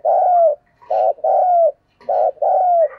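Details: Spotted dove decoy with thổ voice giving rapid calling coos: mellow hoots in pairs, a brief note and a longer downward-sliding coo, repeated without pause.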